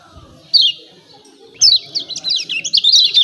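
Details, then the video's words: Lemon-bellied white-eye song used as a lure to provoke caged birds into singing: a brief high chirp, a pause, then a rapid run of high, twittering, zigzagging notes over faint background hum. "CIAK CIAK JOSS KECIAL KUNING AMPUH‼️PANCING JOS MASTERAN BIKIN GACOR"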